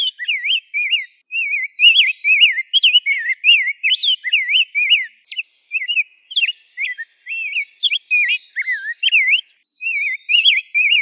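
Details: Rose-breasted grosbeak singing a long, continuous run of sweet, rolling whistled phrases, each note sliding up and down, delivered rapidly with only brief pauses between short bursts.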